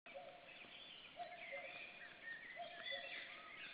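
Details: Common cuckoo, heard but unseen in forest near a black stork nest, Estonia, 7 May 2013, gives its low, falling two-note 'cu-coo' twice amid busy chirping and warbling songbirds.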